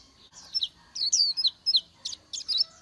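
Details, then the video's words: Oriental white-eye giving high, sweet chirping notes in short slurred phrases, softer and slightly muffled, with a faint low background rumble throughout. "Chim hót hay Vành Khuyên họng vàng đông dương | นกแว่นตาขาวสีทอง| Oriental White-eye"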